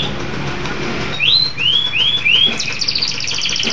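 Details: Local canary giving four clear, up-slurred whistles in quick succession, then bursting into a dense, fast trill over a faint background hum.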